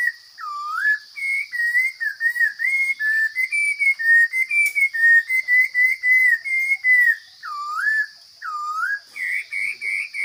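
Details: Powerful song of a forest Chinese hwamei: a fast series of short, clear whistles broken by deep swooping notes, then a quicker burst at the end, all against a steady high hum.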